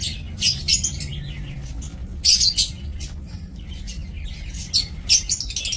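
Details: Aviary-bred lovebirds, 2 October 2024, utter thin, high, chattering chirps in short scattered bursts, a louder cluster near the middle, with low hum throughout.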